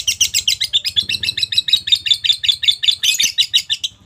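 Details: Lovebird, described as a fighter, pouring out a fast, continuous chatter of shrill, high chirps, about seven or eight notes per second without pause, with a soft low hum underneath.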